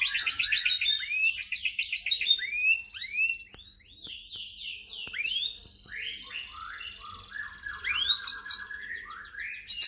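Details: White-rumped shama song used to provoke other shamas into singing: repeated rapid chip series, then a run of upslurred and downslurred whistles and varied phrases, with scattered clicks.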